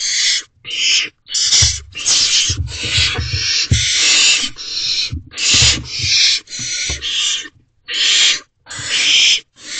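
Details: Nest-box barn owls, 12 May 2023 at 3:27 am, with the owlets rushing to be first in line for food brought by the male. Overlapping harsh hisses, some long and some clipped, with scuffling thuds.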